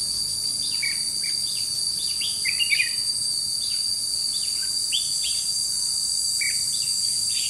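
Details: Red-whiskered bulbul used as a decoy for trapping, recorded 21 July 2016, singing repeated lively chirped and warbled phrases roughly every second throughout, over a persistent loud insect drone.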